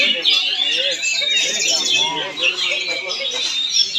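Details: Energetic kacer (Oriental magpie-robin) performance recorded in Palangkaraya, Central Kalimantan: rich, fast run of piercing whistles and buzzy trills, over lower chirps and faint talking in the background.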